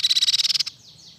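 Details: Silver-eared mesia, said to be singing well: a rapid, even series of about ten sharp, high notes lasting under a second, followed by faint downslurred whistles.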